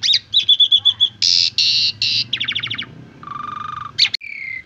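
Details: Asian pied starling song meant for teaching other birds: a run of repeated whistled notes, three harsh buzzy blasts, a rapid trilled series, then a drawn-out rattling note and a falling whistle, over a faint hum.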